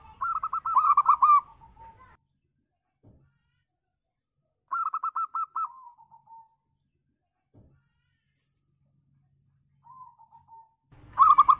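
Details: Berayun-style song of a local zebra dove kept as a lure for wild doves: short bursts of fast, bubbling coos trailing into a lower drawn-out note, separated by long silences, with a new phrase starting at the end.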